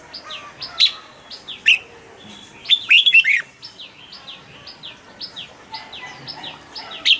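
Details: Cage-kept red-whiskered bulbul: a few sharp single notes, then a fast, cheerful string of bubbly warbled notes, with a continuous chain of high falling whistles running underneath.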